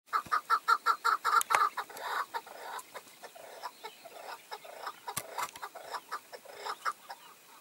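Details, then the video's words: Chukar partridge calling, a tethered decoy bird with five wild males coming in during hunting; a fast run of loud, evenly spaced clucking notes at the start, followed by softer, irregular chucks and clicks from several birds. "Keklik Sesi"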